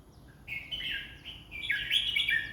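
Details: Red-whiskered bulbul giving a rich, rolling warble: a short rising note leads into a longer run of fluid, slurred whistles that brighten toward the end over a low background hum.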